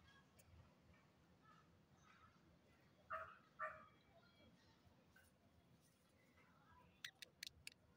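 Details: A 15-day-old budgerigar chick gives two short, raspy chirps against a steady low hiss.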